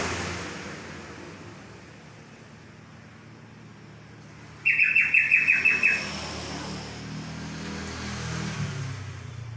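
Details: Yellow-vented bulbul, locally trocok, gives a quick burst of about eight bubbly, evenly spaced notes in just over a second, then falls silent against low background hum.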